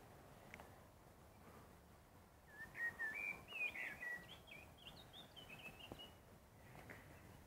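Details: Common blackbird singing at sunset: a run of clear, warbled whistled phrases that rise and fall, growing higher and more twittering toward the end, over a soft background of outdoor noise.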